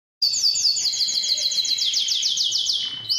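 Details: Strong canary singing, recorded to spur male canaries to sing: a steady series of fast, rising-falling whistled notes repeated about four times per second, with a level buzzy tone underneath and a brief rising note at the end.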